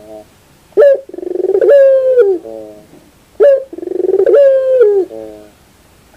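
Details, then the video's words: Barbary dove giving repeated coos about every two and a half seconds, each led by a short, sharp accented note, followed by a quick pulsing roll, a drawn-out steady hoot, and a trailing lower murmur. "your puter bird will definitely sound"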